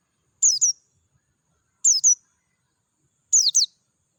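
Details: Dakun-type Oriental white-eye in a natural setting, clear ngalas-style song: three bursts of high, sharp double chirps, each pair falling in pitch, spaced about a second and a half apart.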